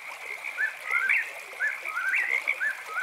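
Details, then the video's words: Eastern whip-poor-will singing at night: whistled three-part phrases, a short note then a rising, sliding note, repeated about every second over a steady high chorus of chirping frogs. "Whippoorwill Bird Sounds"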